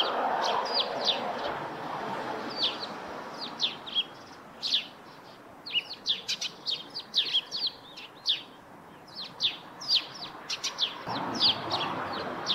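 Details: Near a rooftop nest, Eurasian tree sparrows give a busy run of high, clipped chirps, irregular and closely packed in the middle, over a low rushing background that swells near the end.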